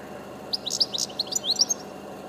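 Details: Goldfinch singing from high up, a quick run of liquid, tinkling twitters and short buzzy notes packed into about two seconds, over a faint constant low rumble.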